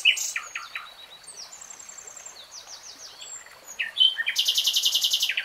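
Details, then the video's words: A common nightingale delivers varied chirps and slurred whistles, then a vigorous fast trill of repeated high notes over the final second and a half. "BEST NIGHTINGALE SONG 3 Hours REALTIME Nightingale Singing"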